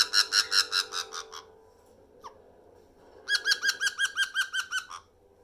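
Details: A 4-year-old female pet black-headed caique laughs in two bursts of rapid, nasal 'ha-ha-ha' notes, about seven then a dozen, split by one brief rising whistle.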